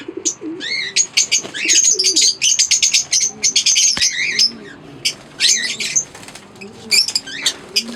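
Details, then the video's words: Chattering of Fischer's lovebirds from a green pair and an albino red-eyed pair: rapid streams of sharp, piercing chirps and squeaks, packed in busy clusters broken by short gaps across the whole stretch. "Singing & Chirping Sounds - Green Fischer Pair"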